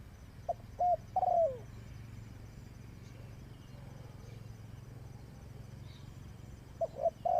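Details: Decoy spotted dove used in trapping gives one cooing phrase of clipped notes ending in a longer falling coo, then a long pause over low hum before a few more short coos begin.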